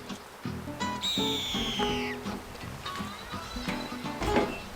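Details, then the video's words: A hawk, a resident wild bird around an Ozark Mountains property that often circles and squawks while the owner works, perched in a nearby tree, gives one high, drawn-out, slightly falling scream as a man talks. "Y'all hear that hawk right over there? We"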